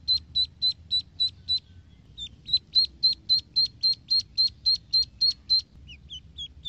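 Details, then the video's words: Ducklings swimming in a pool give high, thin peeps in a fast, steady series of about three or four per second. The notes pause briefly midway, then resume over a faint low rumble. "Duckling Sound"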